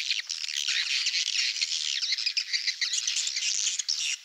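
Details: Lure recording of swiftlets, Malaysian type, made for attracting birds in Indonesian swiftlet farming: unbroken, intense chorus of high squeaky chirps and buzzy twitters layered together throughout.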